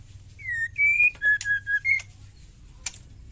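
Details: A single whistled phrase from a wild female white-rumped shama, a fighting ketrekan call that drives other birds to sing: a downslurred whistle, an upslurred one, three brief even notes and a final higher whistle, then one click.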